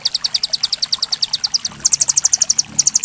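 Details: Rapid besetan-style singing from a white-rumped shama: an even series of sharp, high notes that leads into a quicker, shriller run with a brief break near the end.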